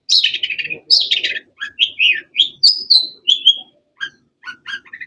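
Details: Varied cendet (long-tailed shrike) chirping: rasping high phrases give way to a string of clear whistled slurs, some falling, then short clipped chips near the end.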